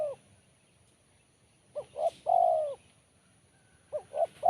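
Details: A spotted dove's crisp, sharp BL Kuk 1 song. After the tail of one phrase, a clear phrase follows: two quick hoots, then a long falling coo. Another phrase starts near the end.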